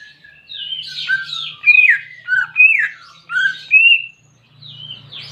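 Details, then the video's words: Greater green leafbird in captivity, song used as therapy for a bird reluctant to sing: varied, squeaky, down-slurred whistles and chattering notes in quick succession over a faint low hum. "Terapi Cucak Ijo Malas Bunyi"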